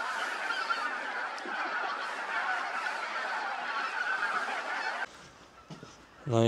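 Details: Large flock of about 2,000 geese, mainly Greater White-fronted and Bean Geese with a few Barnacle Geese, at the Ptasi Raj reserve in late autumn: dense, continuous honking and yelping that fades after five seconds as a nearby voice begins.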